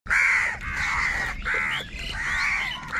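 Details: Angry crows fighting over food give four long, harsh, drawn-out caws in quick succession, each lasting about half a second, loud and hoarse with barely any gap between them.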